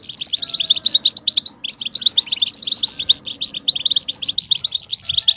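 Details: European goldfinch song in the style called batbata, played to excite male goldfinches into nonstop singing. Heard as a dense, rapid twittering of bright, high chirps and trills, almost continuous, with a brief pause near the two-second mark.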